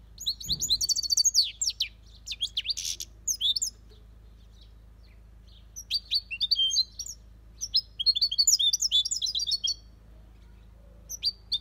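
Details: Aviary-kept European goldfinch singing copia Malaga song: several bursts of fast, high, liquid twittering and buzzy notes separated by quiet gaps, over a steady low background hum.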